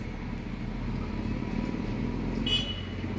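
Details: Steady low traffic rumble with a brief high tone near the end, and no animal voice.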